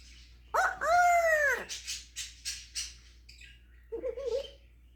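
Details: Caged African grey parrot performing its imitation repertoire: a loud, wavering, whistled wail falling in pitch, then a run of short rasping yelps and a low, muffled final note.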